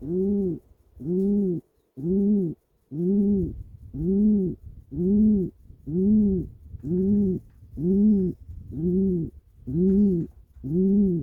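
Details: A pigeon in its nest, twitching its wings, gives a steady run of soft, low, throaty coos, each briefly swelling and falling, about one a second, with nothing else heard.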